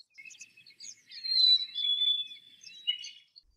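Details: Black-capped chickadee giving a clear whistled two-note phrase, the first note higher and the second stepping down, among faint scattered chirps.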